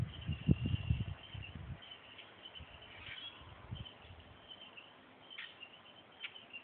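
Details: A wild turkey gives a low, rolling, fluttery sound for nearly two seconds, which the recordist suspects is a loud purr, then quieter rumbles, over a steady high insect trill.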